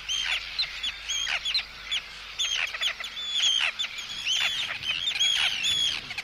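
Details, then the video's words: Close recording of Arctic tern anxiety and threat calling toward an intruder, repeated rasping screeches with bright upper overtones, about one per second, plus softer chattering. "Arctic Tern. CU Anxiety And Threat Calls At Intruder. CU Calls From Chicks."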